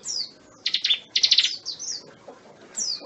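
A bar-winged prinia sings high, thin down-slurred whistles and bursts of sharp, buzzy stuttered notes in quick series, with a faint hiss behind.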